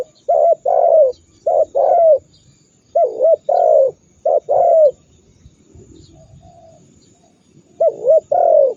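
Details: A spotted dove's forceful coo phrases, played to make rival doves call back angrily: groups of two or three mellow coos ending in falling slurs, separated by brief pauses, with a quiet background.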